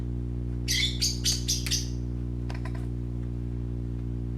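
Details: Playing parakeet babies make a quick run of five bright, harsh chirps, then a few fainter clicky notes, against a constant low droning hum.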